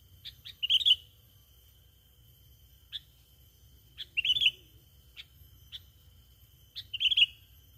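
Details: Lure call of a sooty-headed bulbul: three loud rippling chirp bursts roughly three seconds apart, interspersed with single short sharp notes, over a steady high-pitched tone and low background rumble.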